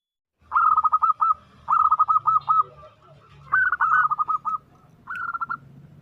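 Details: Female zebra dove calling a male, used as an omyokan-style lure: four bursts of rapid, trilled cooing notes, each phrase a quick stuttering run of about eight notes, separated by short pauses, with a faint low hum underneath.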